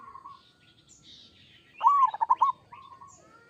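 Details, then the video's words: Kerot song of a local Zebra dove, meant to draw a reply from other doves: a soft level whistle, then a loud phrase of a rising note and four quick staccato coos, then a fainter trailing whistle. "Suara perkutut lokal gacor kerot AMPUH bikin nyaut seketika"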